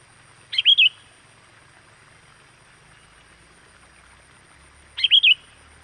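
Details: Sooty-headed bulbul calling to lure in wild birds: a quick, bubbly whistled phrase of three or four notes, repeated after a gap of about four seconds, over low steady hiss.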